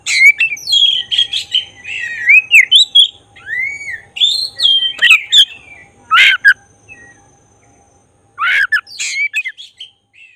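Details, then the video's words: Energetic song of a black-breasted oriental magpie-robin, played to provoke emotion and tail opening: a long run of varied whistles, arcs and chirps, then harsh rasping notes separated by a two-second silence. "Suara khas pancingan agar emosi buka ekor burung kacer dada hitam gacor"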